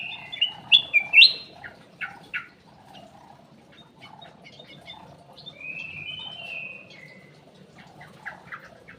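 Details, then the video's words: Black-crested bulbul song used as a lure: a lively burst of sharp, rising whistled notes and chips at the start, then softer scattered twittering and a drawn-out whistle, with faint background noise. "PANCINGAN CUCAK EMAS \ KUTILANG EMAS"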